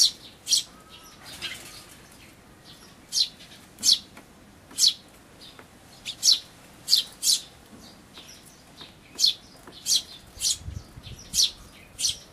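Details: At a feeder in May 2013, an Eurasian tree sparrow parent feeds its chicks: sharp single high chirps spaced irregularly, roughly one per second, over quiet background.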